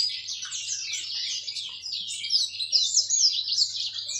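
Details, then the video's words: Caged yellow-fronted canary, a finch not native to Indonesia and prized by songbird keepers, delivers an unbroken high warbling stream of rapid slurred and buzzy notes with no pauses. "Ocehan burung mozambik"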